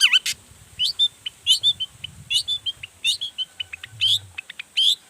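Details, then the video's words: Long-tailed shrike singing with full emotion, showing off its repertoire to provoke rival shrikes: rising whistles and clipped chirps in short bursts, with brief faint low noise underneath. "Toetan Cendet Gacor Full Emosi Bongkar Materi Bikin Cendet Lain Langsung Panas Nyaut Ikutan Bunyi"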